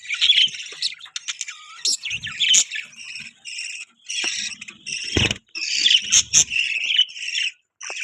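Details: Budgerigars kept as pets chirping busily: rapid high twittering and warbled chatter from several overlapping voices, with short squeaky notes and occasional soft clicks.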